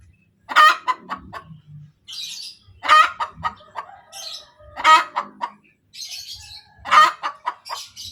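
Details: Laying hen giving her post-egg 'kotek' cackle: loud ragged squawks roughly every two seconds, each trailed by a rapid run of short clucks, with some higher scratchy chatter between bursts.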